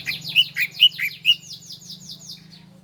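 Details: Bar-winged prinia song from a master recording for training cage birds: a rapid series of descending chirped notes that fade gradually, over a steady low hum.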